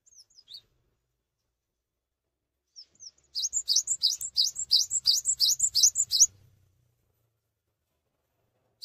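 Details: Cinereous tit singing energetically while staying put, intended to trigger song in other tits: a few scattered thin notes, then a three-second burst of about ten fast, ringing, high two-note phrases, then silence.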